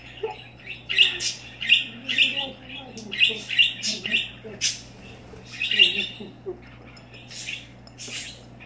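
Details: Pet parakeet indoors, reacting to vitamins: bursts of sharp, bright chirps and short squawks in quick clusters, roughly two to three per second, with brief pauses between runs and a steady low electrical hum beneath.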